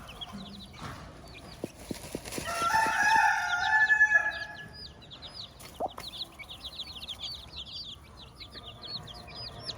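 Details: On a farm, a hen with her chicks: high chick peeps run throughout while a loud, harmonic rooster crow rises and falls in the middle, with a few clicks before it.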